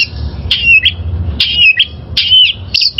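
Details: Wild oriental magpie-robin, recorded to train caged birds, repeats a loud phrase about every second: a sharp onset sliding into a wavering falling whistle, over low hum.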